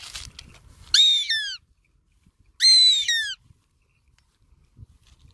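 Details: Goshawk singing: two loud, ringing, descending whistled screams, each about half a second long with a rasping edge, spaced over a second apart, with silence in between and a little low background noise.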